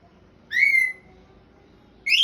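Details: Pet African grey parrot making sounds as it tries to speak: a clean, steady whistle held for about half a second and trailing off, then after a pause a second, higher and brighter whistle begins.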